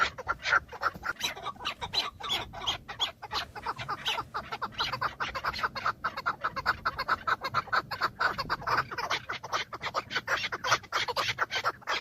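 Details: Male Chukar partridges, filmed from a car, fight and display to females in the mating season, giving a dense, rapid run of harsh, overlapping clucking chuck notes, several per second, with no pause for twelve seconds.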